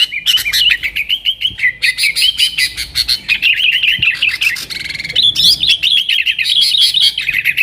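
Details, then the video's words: Nggaruda-style song from a yellow-vented bulbul, used to attract wild sooty-headed bulbuls: sustained torrent of quick warbling and chattering notes in several long bursts, with steady clicking ticks. "TRUCUKAN GACOR Nggaruda Super Ampuh Untuk Suara Panggilan Burung Kutilang Liar"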